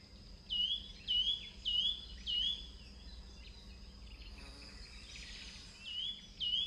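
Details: Yunnan nuthatch perched on a limb in southern Chinese forest gives repeating short, high, slightly rising nasal notes, about every half second in a run of four, then two more after a pause; faint background hiss.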